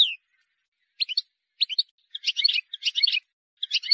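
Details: Goldfinch in the wild, singing a faultless song meant for young birds: a falling whistle, then scattered short chirps building into dense twittering phrases of mixed high notes, no background noise.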